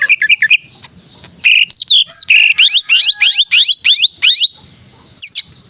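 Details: Greater green leafbird in full gacor song, intended to restart silent caged birds: quick chattering notes, a varied whistled phrase, then a rapid series of loud upslurred whistles, ending with a brief high flourish.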